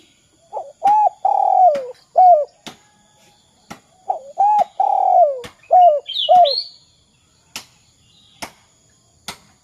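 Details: A spotted dove repeats its 'kuk 2' phrase, used as a master call for other doves: clipped hoots around a long descending coo, given twice, then sharp clicks and a high chirp with quiet gaps.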